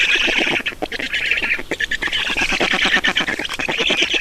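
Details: Loud rasping squawks from Black storks being fed at a nest in Estonia, packed in fast irregular bursts with short dips in loudness between groups.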